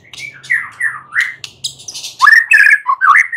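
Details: White-rumped shama in a night-time lure recording: slurred, scratchy notes over a faint low hum, then a loud burst of harsh, rich chattering phrases in quick succession.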